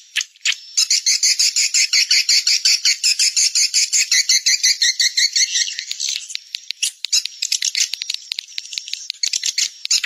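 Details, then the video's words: Swiftlet (Collocalia vestita) call sound, one of three call types alongside the stay and colony sounds, with added frequency: a dense, rapid chattering of high buzzy chirps, many per second, running almost without pause, with a thin steady tone above. "Swallow Calling Sound (call voice)"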